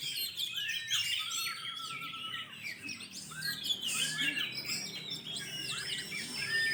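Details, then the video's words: Caged Oriental magpie-robins at a 2020 songbird singing competition held during the pandemic: a dense overlapping chorus of loud, varied whistles, rapid sweeping notes and chattering phrases, with several birds singing at once and a faint hum of crowd noise beneath. "Lomba burung Kacer 2020 | Kacer gacor"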